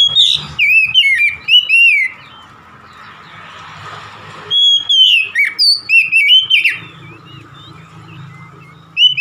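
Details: Caged oriental magpie-robin in full song: bursts of loud, varied whistled notes with sharp upslurs and downslurs, broken by a quiet pause with low rumbling hum, then a fresh run of rapid clear phrases.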